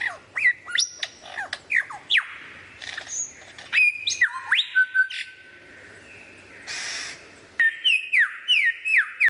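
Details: Lyrebird producing varied imitated sounds: a rapid medley of sharp whistled notes, downward-sweeping chirps, rising slurs, a held steady whistle and brief harsh noisy bursts, with short pauses between phrases and a quiet background.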